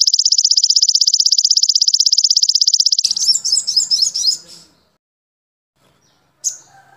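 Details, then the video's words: Crimson sunbird song used as a training recording for caged birds, with a standard sunbird opening joined to a golden grasshopper sound. It gives a fast, even, high trill for three seconds, then a burst of jumbled sharp chattering and one short chip. "MASTERAN SOGON"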